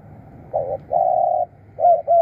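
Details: Spotted dove used as a decoy to call wild doves in, giving low, soft coos: a short note and then a long, even hum, followed by two shorter paired coos. Faint low rumble underneath.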